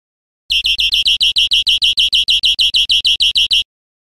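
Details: Recorded in Spain in 2013, a European Greenfinch gives a rich, buzzy trill of about twenty rapid repeated notes lasting three seconds, with a clean, quiet background.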